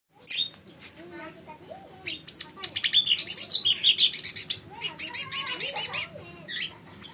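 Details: Lesser green leafbird singing: after scattered high chips, a rapid run of loud, buzzy, chattering notes repeated about four times a second for several seconds, then a few thin upslurred whistles.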